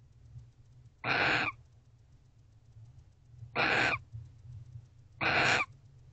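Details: At a nest box at 5:19 am, 29 November 2023, a barn owl around mating utters three hoarse, noisy screeches, each about half a second long and spaced irregularly, over a steady low background hum.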